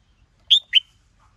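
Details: Red-whiskered bulbul, female provoking a male into fiery singing; a clear pair of sharp, slurred whistled notes, the second slightly lower, then quiet.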